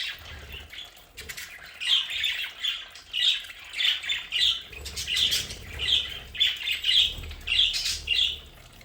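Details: Home-kept budgerigars in their play area give repeated raspy squawks, roughly two per second in an uneven rhythm, rising above softer chatter and a low hum.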